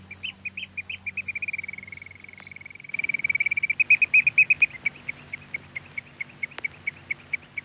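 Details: Eurasian oystercatcher from a Norwegian radio archive recording: shrill piping notes that speed into a fast, even trill, then break into louder, sharper pipes that gradually slow and spread out, over a faint low hum.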